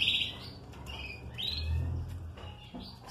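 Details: Captive canary chirping indoors: short high tweets and a rising squeaky note in the first half, then scattered thin chirps, over a low background hum and some handling noise.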